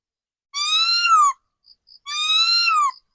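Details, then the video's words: Two long, smooth whistles from a caged decoy laughingthrush, each nearly a second long, rising gently and then sliding down, with strong harmonics. Faint high ticks from another bird sound between them. "Tiếng chim khứu mồi già rừng"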